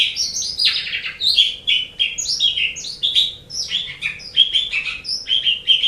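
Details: Continuous varied song from an Asian pied starling for training caged songbirds, a steady stream of chattering, whistled and scratchy notes without pauses.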